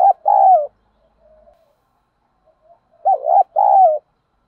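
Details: Repeated low coos of spotted doves, male and female, used as a lure to stimulate birds: a rolled croo, quiet soft notes in between, then a full phrase of bouncing double coo plus a long descending croo.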